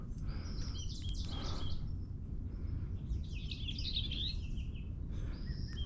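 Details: Bell's Vireo in dense trailside brush of the Tijuana River Valley, California, 2023, giving quick, scratchy high chattering phrases in three bursts, over a steady low rumble of wind and handling noise.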